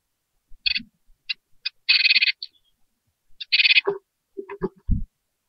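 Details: In a nest box, recently hatched great tit chicks wanting food produce loud rasping begging bursts, two long harsh runs among shorter ones, followed by lower rustles and knocking noises.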